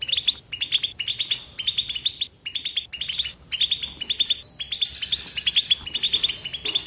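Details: European goldfinch singing batbata without silence: clipped phrases of rapid repeated high chirps, each phrase about a third of a second long, followed by a short whistled note and a denser twittering run.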